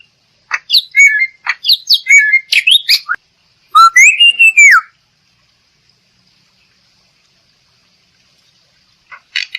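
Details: Black-winged myna song used as a lure for singing birds: quick chattering and squawky notes, then one long, loud arched whistle that rises and falls, followed by silence and a brief final chirp.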